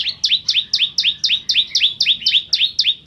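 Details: Bar-winged prinia in lively song as a tutor for white-rumped shamas: a continuous rhythmic series of paired notes, each a high chip sliding into a lower rising whistle, about four pairs per second.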